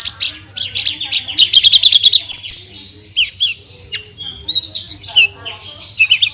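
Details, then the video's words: Energetic song of a Horsfield's bush lark (branjangan) with 'tembakan' bursts: a fast rattling run of high notes, followed by scattered downslurred and upslurred whistles and short chirps; soft low hum underneath. "SUARA BURUNG BRANJANGAN GACOR FULL TEMBAKAN"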